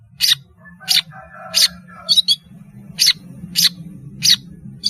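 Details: Long-tailed shrike in full song, played for juveniles learning calls: harsh, scratchy bursts repeated about every half second against a steady low background hum.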